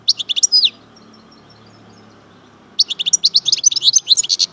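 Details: Rapid, liquid twittering and tinkling trills from a European goldfinch, chardonneret major from Algeria, delivered in two dense bursts separated by a two-second pause.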